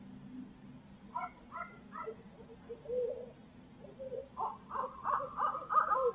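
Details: Barred owls in Midtown Tulsa give a run of nasal, wavering hoots and excited cackles, several per second, over a steady low city hum.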